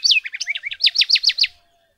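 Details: House wren (Troglodytes aedon) at Alto San Miguel giving a fast, bubbly run of about ten high, downslurred notes in under two seconds, the later notes louder and sharper.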